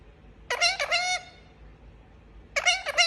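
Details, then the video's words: Pet Indian ringneck parakeet giving two bursts of harsh, rasping screeches rich in overtones. Each burst is a quick double or triple note, separated by about two seconds of quiet room background. "Talking Parrot Making Sound"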